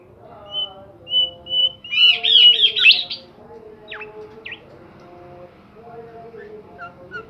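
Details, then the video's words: Bimoli bird singing actively: three spaced high whistles lead into a dense burst of warbling, twittering notes, then scattered short downward chirps against a faint murmur of lower sounds. "burung Bimoli gacor"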